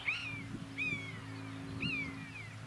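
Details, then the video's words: Common buzzard (Buteo buteo) in flight, mewing to call for a mate: four high, plaintive mewing calls, each sliding downward, spaced under a second apart, over a steady low hum. "BUZZARD Sounds In flight Calling for a Mate MEWING"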